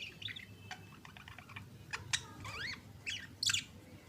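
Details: Kissing pair of budgerigars chatter in rapid, scratchy bursts: soft ticking notes, a couple of loud clicks, then zigzag warbles and a harsh squawky burst near the end.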